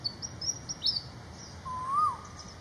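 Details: A Malaysian pied fantail in flight in Malaysia gives a quick run of thin, high squeaky chirps over about a second, then a lower slurred rising whistle, against a steady background hum.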